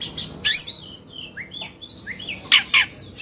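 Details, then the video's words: Oriental magpie-robin, the Indonesian kacer, in an agitated 'kongslet' display mixes short downslurred whistles with a few loud harsh chattering bursts. "Suara Kacer Emosi/Kongslet"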